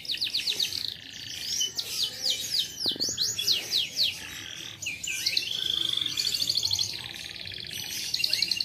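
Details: A type-OB canary sings a fast, continuous run of high trills, rapid chirps and rolling phrases, bright and varied, with only faint background noise.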